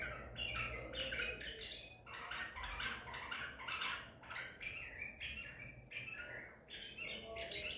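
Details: Caught Baghdadi-type White-eared bulbul, 14 April 2021, delivering a continuous stream of sharp, varied chirps and squawky notes in quick succession, with steady low-frequency background noise.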